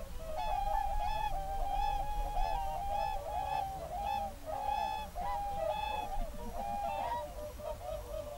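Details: Whooper swans with geese in a national park on an early February evening in 2023, a flock concert: many overlapping trumpeting, honking calls, held and slightly wavering, over steady low rumbling background noise.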